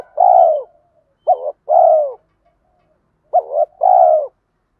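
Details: Male and female spotted doves calling for training captive doves: a long descending coo, then two phrases of a short double note followed by a drawn-out falling coo, about two seconds apart.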